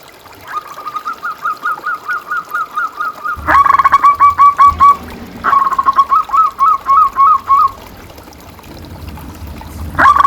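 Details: Local zebra dove song used as a lure and master recording to stir quiet caged doves: rapid series of short, soft rolling coos repeated evenly, then louder overlapping trilled phrases from another bird, with faint background hiss.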